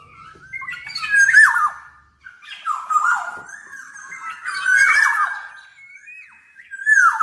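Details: Black-naped oriole singing continuously (gacor), weaving mellow whistles with rough, nasal, down-slurred squawks in three loud bursts across the phrase, with only one brief pause.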